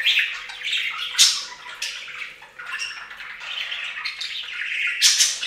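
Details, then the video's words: Budgerigars splashing in a bird fountain produce continuous scratchy warbling with sharp squawks, steady and dense throughout. "Best Budgie Bath EVER! + Budgie sounds"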